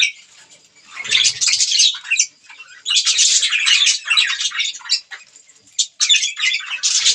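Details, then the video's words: Pet budgerigars chirping while eating green food; dense bursts of scratchy, warbling chatter in quick succession with brief pauses, a few soft low thumps early on. "budgies green food eating | bird chirping sound"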